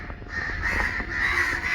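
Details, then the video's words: Disturbed crows massed in a group, protesting loudly: a steady wall of hoarse, overlapping caws from many birds, rising slightly in intensity toward the end of the short stretch. "Community of CROWS 🦅 Protesting | Kawe ki Awaz"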